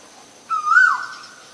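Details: Single call of a male Asian koel: a loud, clear whistle that starts level, rises to a peak and then drops sharply, over near silence.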